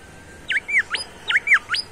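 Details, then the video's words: A bimoli sings vigorously: six clear whistled notes around the middle of its range, alternately rising and falling slurs, quickly delivered in two groups of three over about a second and a half, with a quiet background. "SUARA BURUNG BIMOLI GACOR"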